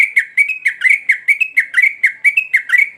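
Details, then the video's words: Sooty-headed bulbul singing: a lively run of short, bright chirped notes, about four per second, each slurring down then up, steady and repetitive throughout. "Burung Trucuk Gacor"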